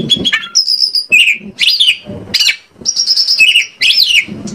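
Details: Kacer (oriental magpie-robin) singing as a lure to set other kacer birds singing: high sustained whistles, quick down-slurred notes and short chattering bursts in separate phrases, with soft low rustling between them.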